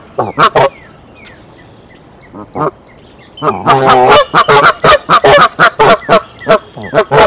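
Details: Goose alarm from the mother on the Decorah nest, 27 March 2023, calling her mate in: a few scattered honks with thin whistles of small birds, then a sudden burst of fast, loud, harsh honking.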